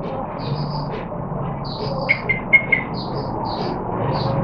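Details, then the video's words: Yellow-vented bulbul singing and learning different songs, a quick run of four bright chirpy notes mid-clip, with thinner higher chirps from other birds over steady background hiss. "Yellow Vented Bulbul 995 Singing n Learning different songs"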